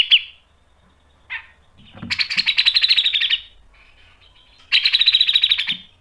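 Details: Grey-cheeked bulbul singing hard with sharp rasping bursts, used for training other birds: a short note, then two bursts of rapid, high, pulsed chatter about one second each, separated by a pause.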